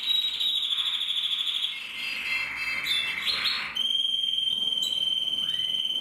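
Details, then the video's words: Male canary from a Loisachtal breeding aviary singing: fast, high rolling trills shifting into buzzy churrs, then a long steady pure whistled note held for over two seconds. "Kanarienvogel singt"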